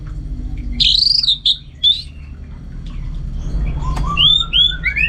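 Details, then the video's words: Orange-headed thrush from North Bali in home training for contests: a loud warbled whistle and short bursts, then softer rising and falling whistles over a low steady background hum. "Super Kicauan ANIS MERAH Gacor"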